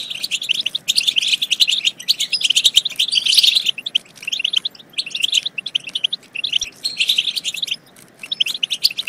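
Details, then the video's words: European goldfinch song, meant to stimulate goldfinches to sing and mate: bright, rapid twittering and tinkling phrases in bursts of a few seconds, broken by short pauses, with several birds apparently singing together. "بتبتة تجنن الحسون وتفقده العقل بتبتات خرافية في تحفيز الحسون على التغريد"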